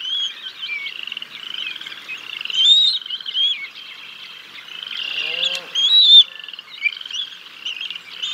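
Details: Bald eagles at their nest on 6 May 2022, the male bringing a fish and feeding the chicks until the female arrives; high, thin chittering whistles rise and fall in bursts, with a brief low rustle midway.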